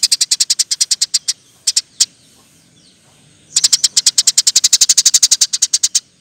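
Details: Eurasian tree sparrow in fast, tight 'nembak' song meant for training other birds: a long even run of high chirps, a pause with a few single notes, then a longer, denser rolling series.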